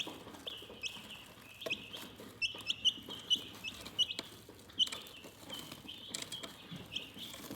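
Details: Calm chicken chirping, with a continuous band of high peeps and several louder, sharper chirps standing out every half second or so among soft clicking and shuffling.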